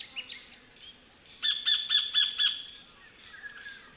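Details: A sacred kingfisher (Todiramphus sanctus) in the bush of Wollemi National Park, Australia, gives its sharp 'kek' call, five harsh high notes about four per second, with faint chirps from other birds around; finding: Sacred kingfisher.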